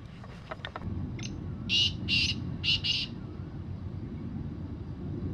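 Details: Wild black francolin (kala teetar) calling: a short harsh phrase of four grating, buzzy notes in quick succession, the middle pair loudest, over steady low rumbling background noise with a few faint thin chirps before.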